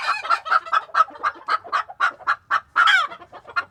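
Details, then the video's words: Chickens in a coop in Tokyo, recorded one day in February 2022, clucking in a steady run of short notes about three to four per second. A louder squawk breaks in near the end. "The sound of a chicken coop"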